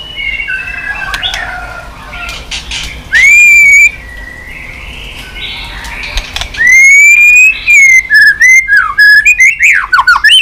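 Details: Continuous 'tạch' song of a white-rumped shama, used to stimulate other shamas: faint warbling first, then a loud rising whistle, and later a run of clear sliding whistles and quick chipping notes.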